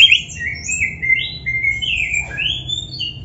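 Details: Caged kacer, or white-rumped shama, singing slow, smooth gliding whistles at varied pitches, some rising, some falling, one after another with a steady low hum underneath.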